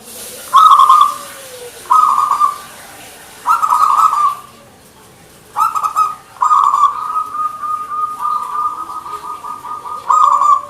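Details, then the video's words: Local perkutut, the zebra dove, singing manggung: several loud, rolling coo phrases, then a long series of rapid, evenly pulsed coo notes near the end, with a faint lower coo at the start. "PERKUTUT MANGGUNG GACOR GAYER 100% suara burung Lokal"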